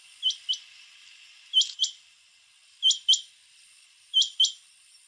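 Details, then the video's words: On Divar Island, Goa, in September 2017, male rain quails give loud metallic double notes, two quick clipped whistles per pair, with four pairs spaced about 1.3 seconds apart against continuous high insect buzzing. "Rain Quail (Coturnix coromandelica) - Males calling"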